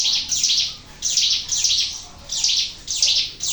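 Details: Ciblek gunung, or Sunda warbler, singing in an outdoor setting. Sharp, high buzzy chirps come in quick doubled bursts, with short pauses between groups.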